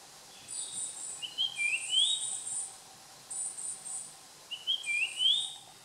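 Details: Japanese grosbeak recorded on 30 June 2015: clear whistled phrases that slide upward, given twice, with a steady high buzzing insect chorus throughout and a faint low hum.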